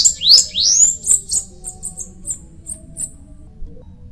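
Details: Song of a bananaquit opening with loud upward-sweeping whistled slurs, followed by a fading string of short, very high, thin ticking notes.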